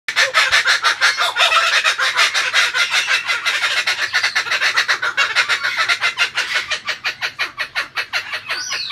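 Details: Kookaburra singing: a long run of harsh, cackling notes at roughly three per second. They hold steady at first, then become more spaced and pulsing toward the end. No other sounds stand out.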